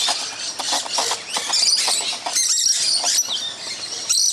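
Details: A loud flock of musk lorikeets feeding in a tree on Christmas morning, roughly twenty on one side. Overlapping piercing squeals and rapid chattering fill the whole stretch, with short quieter gaps.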